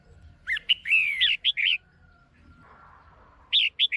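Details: Female red-whiskered bulbul, caged, calls to excite a male. A busy burst of sharp chirps and a drawn-out downslurred note with quick bright notes after it, a quiet gap, then three more crisp chirps.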